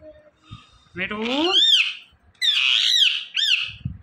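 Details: Ringneck parakeet chattering the word Mitthu: a rising raspy syllable sweeping into shrill high squawky notes, a pause, then two more harsh, high, arching calls, loud and near.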